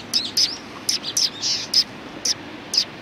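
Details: Sparrows from a neighbouring flock at a Tenmangu shrine, recorded 14 March 2019: sharp high chirps in uneven bursts, about eight notes over three seconds, with quiet background.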